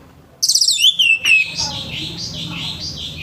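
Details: Orange-headed thrush giving a rough morning phrase to set off other birds: a fast string of high, slurred whistles sliding down, followed by softer, warbling trailing notes over a low hum.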